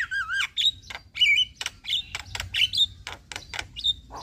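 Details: Black-winged starling song used as a lure to coax stressed or quiet captive birds into singing: loud wavering whistles and rising whistled slurs alternate with sharp, harsh broadband clicks and rasps in quick succession.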